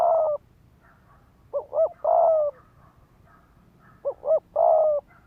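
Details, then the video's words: Spotted dove on the ground as a lure, cooing quickly to provoke males to fight; phrases of two quick rising notes and one long even coo repeat about every two and a half seconds. "Tiếng chim cu gáy mồi đất Thúc Gù kích bổi máu chiến."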